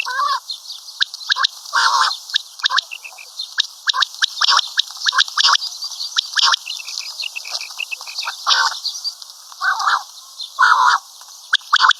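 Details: Common quail (batair) calling: harsh, buzzy bursts repeated at irregular intervals, each a stacked, gravelly note. Thin, higher chirps fill the gaps and overlap the bursts throughout.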